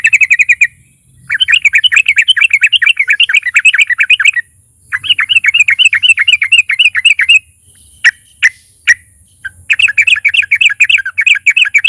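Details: Vocally active fighter sooty-headed bulbul, recorded as a lure to draw song from other bulbuls: long runs of fast, evenly spaced chirps, then three separate sharp notes, then rapid chirping again, over a steady high whine.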